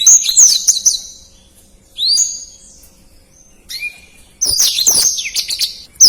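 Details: Caged black-throated canary (blackthroat) singing a fast, dense tutor song: bursts of high, bright chirps and trills with sliding whistled notes, separated by short pauses; no other sounds.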